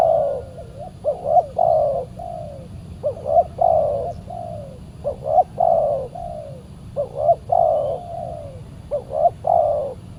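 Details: Spotted dove coos while a fierce wild bird responds to a decoy on a Saturday trapping outing. Repeated phrases of two short coos and a long sliding coo recur every couple of seconds, with faint low rumble beneath.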